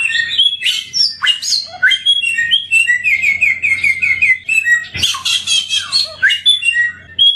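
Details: Samyong bird, an endemic sweet singer, in rich varied song: sweeping whistles, a fast trill of repeated notes, and loud buzzy chatter bursts, over a faint steady hum.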